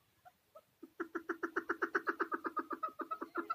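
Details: Caged chukar partridge in Tajikistan, recorded in 2020, giving a fast run of harsh, clucking notes about four per second. The series starts with a few soft notes, then grows loud and steady to the end.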